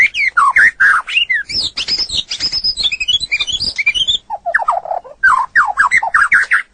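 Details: White-rumped shama, used as a training recording for other birds, in a loud, varied song: rapid whistled and chattering phrases sweeping between low and high pitch, a run of lower slurred notes midway, then repeated rising whistles.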